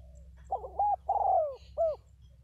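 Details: A pair of decoy spotted doves, one heard clearly in a full coo phrase: stuttered opening notes, a drawn-out descending coo, and a crisp final hooked note. The setting is quiet apart from a steady low hum.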